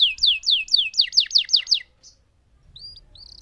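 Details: Lemon canary in full, lively song giving a long roll: seven or eight loud, sharply falling high notes in quick succession, then a brief pause with a few faint, thin chirps afterward.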